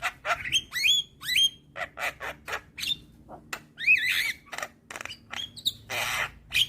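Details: Head-bobbing young Javan myna singing energetically: rapid, uneven chatter of dry clicks, rasps and brief rising whistles, with one noisy screech near the end.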